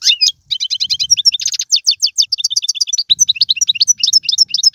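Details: Algerian goldfinch kept as a singing bird, performing styles such as serfati and mandolin: rapid stacked tinkling notes, a quick trill burst, then steady repeated two-part chirps.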